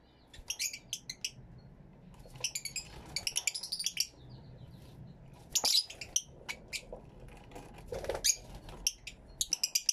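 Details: Fischer's lovebirds in an aviary, stereo camera recording: irregular bursts of high, squeaky chattering and single shrill chirps scattered across ten seconds, with soft background rustling.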